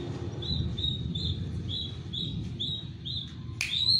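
Long-tailed shrike giving a steady run of short, high chirps about every half second, ending in a sharp rising note, over a low background rumble.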